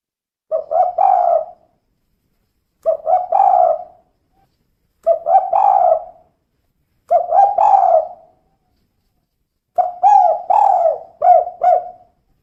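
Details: Female spotted dove calling 'kuk 2' five times, every two to two and a half seconds, each a stuttered start and hollow trailing coo; the final phrase doubles into a longer run.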